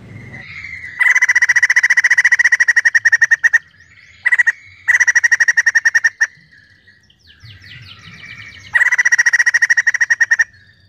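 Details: White-crested laughingthrush singing energetically: bursts of rapid, evenly pulsed chattering notes lasting two to three seconds, separated by short pauses with softer rising whistles.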